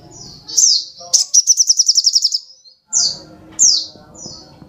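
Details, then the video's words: Singing little spiderhunter (sogok ontong): a slurred high note, then a quick series of about ten sharp notes, followed by three separate falling whistles, with low background murmur. "Kicauan Burung Sogok Ontong Super Gacor"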